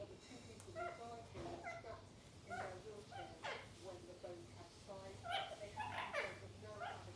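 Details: Indian ringneck parakeets playing together trade short, harsh, speech-like squawks and chatters, mid-pitched and irregular, over a low steady indoor hum.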